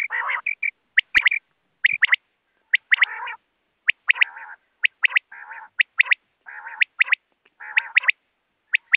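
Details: Common quail, recorded as a hunting lure: sharp, high clipped notes in pairs and triplets, repeated roughly every second, alternating with lower, buzzy, nasal growling phrases.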